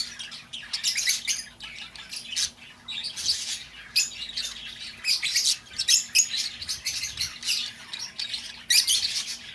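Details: Lovebirds calling, a recording meant to lure back an escaped bird; shrill, scratchy chirps come in quick clustered bursts, almost continuous chatter with short gaps.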